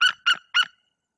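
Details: Three clear, strident yelps, evenly spaced, come from a female white-tailed eagle incubating eggs in Bory Tucholskie. She is scaring off an intruder that landed on her nest tree.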